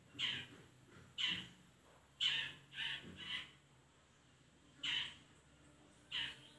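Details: Long-tailed shrike recording used as a lure to make reluctant shrikes sing and answer; loud, harsh raspy bursts repeated about once a second, some in quick pairs, over a faint steady low hum.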